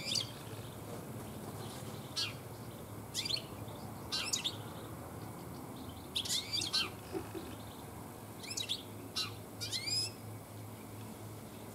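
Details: Garden European goldfinch in late afternoon, where many goldfinches gather this year; scattered bursts of high, liquid twittering and quick rising-falling notes, clustered phrases around the middle and end, with faint low hum behind.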